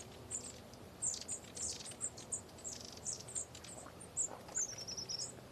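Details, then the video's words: A flock of long-tailed tits feeding overhead calls with thin, very high 'see-see' notes throughout and a short rolling trill near the end, over faint background hum. "there are lots of long tail tits feeding above me can you hear them"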